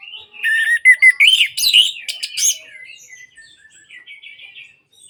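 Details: Song of an orange-headed thrush, meant as therapy for birds that have stopped singing: quick wavering whistles and grating bursts in a dense two-second phrase, followed by a run of soft, rapid chattering notes.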